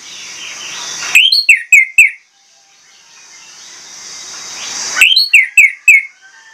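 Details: Orange-headed thrush uttering two bursts of four or five clipped, downslurred whistles, each burst separated by several seconds of quiet hiss.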